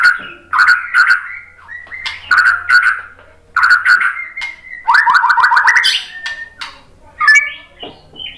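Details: White-rumped shama song played to provoke singing: rich warbled phrases repeat with short gaps, a level whistle, then a rapid run of rising trilled notes and a final rising squeaky flourish.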